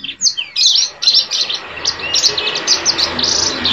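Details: High rapid warbling from a male yellow-fronted canary: bright sweeping notes and fast trilled chirps run together in an unbroken stream, with a faint low hum in the background.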